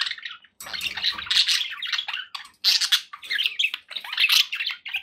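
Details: Pet budgies in company, dense raspy chatter with squawks and squeaky chirps running almost continuously, a few brief breaks between phrases.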